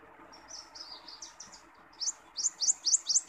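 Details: Wild common iora: softer, wavering whistled notes at first, then a quick series of loud, sharp, rising chirps repeated about twice a second.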